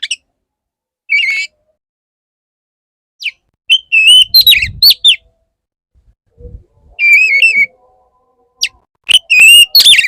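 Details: Male Oriental magpie-robin courting a female: well-spaced whistled phrases mixing steady clear notes, buzzy tones and quick sharp chips, with a brief low rumble in the middle.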